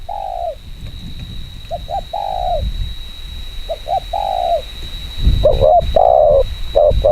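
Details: Spotted dove giving fast 'chiêu gù kích bổi' coos, drawn low notes and quick doubles, over a steady high electrical whine and low rumbling noise.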